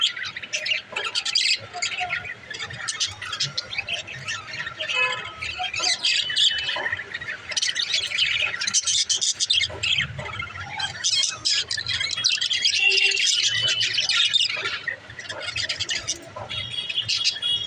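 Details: Pet budgerigars playing during daily activities chatter continuously with rapid, scratchy chirps and squawks mixed with bright warbled notes.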